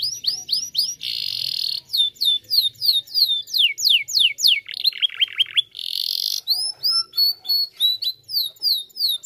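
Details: Canary song played to get other canaries singing. It is a long, varied run of high-pitched tours: rising chip series, a buzzy roll, fast descending whistles, another harsh trill, then sparse bright notes.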